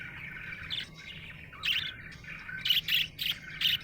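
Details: Happy budgerigar chirping, buzzy warbles breaking into a quick series of bright, sharp chirps near the end, about one per second.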